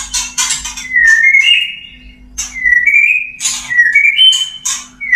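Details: White-rumped shama male wooing a female, mating call: clear whistled phrases stepping upward in short slides, alternating with bursts of harsh, buzzy high chatter, repeated about every second; faint constant hum behind.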